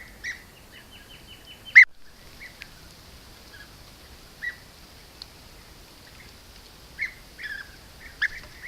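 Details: European bee-eaters hunting bees at an apiary near Corte Franca, Cavarzere, Italy, caught by a camera trap: short rolling trilled calls, a quick run of buzzy repeated notes, one sharp loud click, then scattered calls over quiet background.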